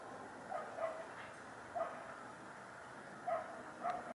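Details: Hooded crow uttering rough, grating caw notes in loose pairs, with gaps of about a second and a half between groups, over a steady hiss.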